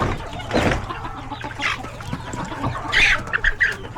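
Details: Busy coop of chickens, roosters and chicks at lunchtime feeding; scattered clucks and a bright squawk near the end, sharp high peeps over a low background hum.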